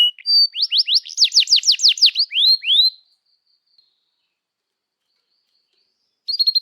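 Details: Canary song used as a lure to train young canaries to sing: a rapid sequence of high descending whistled notes and rolled trills lasting about three seconds, then silence, with a short burst of trilling at the end.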